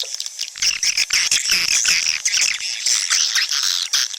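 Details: Swiftlets calling, a lure sound for drawing birds into nesting houses: busy, high-pitched twittering with overlapping chirps and short trills running without pause.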